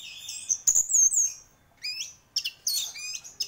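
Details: Orange-headed thrush, a champion singer, giving a long high whistled slur, then rising buzzy notes and a rapid chattering burst.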